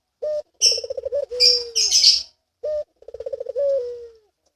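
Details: Barbary dove in breeding mood gives a low rolling coo: a short note, then a rapid pulsed trill sliding into a long falling tone, repeated twice, with sharp high chirps from other birds between.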